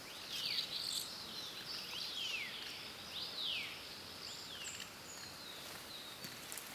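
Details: Asian house martin calls: a series of high, descending swept notes, roughly one every second, followed by fainter chirps against constant background hiss.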